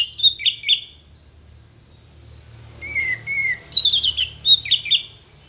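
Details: Orange-headed thrush singing mimicked fill-in phrases used to tutor contest songbirds. A couple of quick chirpy notes, then two level whistles after a pause, followed by a cluster of sharp descending twittered notes over a low background hum.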